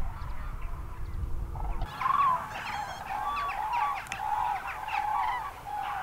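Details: Common cranes gathered on a field at Trandansen, Sweden, in the evening, with greylag geese among them; wind rumble at first, then a dense chorus of loud trumpeting and honking calls from many birds at once.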